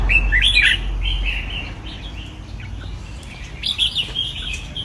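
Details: Red-whiskered bulbul in a training cage opens with a strong whistled warble over a deep rumble, then softer chattering phrases and another bright burst toward the end.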